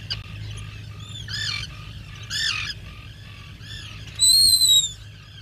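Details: Black guillemot calling at the nest burrow where it comes ashore to breed: arched, wavering squeals in separate bursts, low short tones between them, ending in a loud, thin, high-pitched drawn-out whistle, over a low hum.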